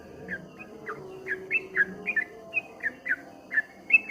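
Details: Streak-eared bulbul singing in the ropel ngombak banyu style: a steady string of short, bright whistled notes rising and falling, about three each second, over a faint low background hum.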